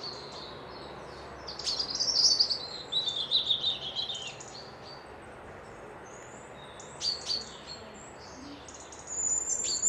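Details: Peaceful lochside birdsong near Dundee, Scotland: a rapid, high trill of sweet whistled notes gently descending, then pauses, scattered chirps, and a fresh twittering burst at the end.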